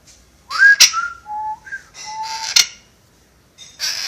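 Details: Whistling parrot kept indoors, said to whistle a marching song and wolf whistles: a rising whistle, short flat whistled notes at varying pitch, loud snapping clicks and bursts of noisy rustling.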